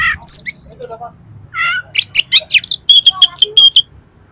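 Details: Oriental magpie-robin pouring out harsh imitated material meant to raise another magpie-robin's aggression: high whistles, a buzzy stacked phrase, sharp clicks, then a fast series of about ten repeated whistled notes.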